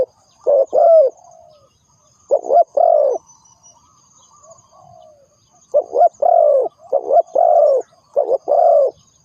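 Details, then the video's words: Decoy spotted dove for bird trapping, uttering bursts of low, hollow cooing notes in clusters of two to five, separated by quiet gaps of about two seconds. "The Sound Of Spotted Dove is good,Bẫy cu gáy bằng mồi trồn,เสียงนกเขาใหญ่,Suara Terkukur Pikat Tua 2"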